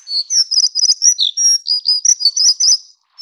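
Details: High, hurried, squeaky warble from a plumbeous redstart (subspecies affinis, endemic to Taiwan, found along mid- and low-elevation streams), packed sharp chirps and trilled phrases pouring out for nearly three seconds before a pause.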